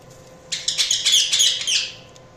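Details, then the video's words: Budgerigars chirping: a dense burst of high, rapid, overlapping chirps and warbles lasting about one and a half seconds before fading, over a quiet background with a faint steady hum. "Budgies Chirping sound"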